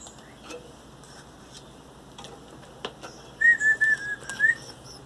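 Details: Seventeen-day-old Belgian canary chicks being hand-fed baby food by beak, kept in captivity; a short run of about five thin, steady high peeps packed into roughly a second, preceded by faint clicks and handling noises.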